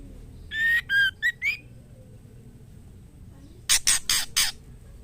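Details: Female white-rumped shama calling a male to mate. A clear whistled phrase of four notes, the final one rising, is followed after a pause by four loud, harsh rasping bursts.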